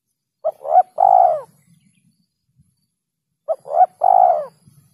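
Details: Lure recording of a spotted dove, clear and close, repeating a phrase twice about three seconds apart: a quick pair of short notes, then a long, level, vibrating coo. A soft low hum runs underneath.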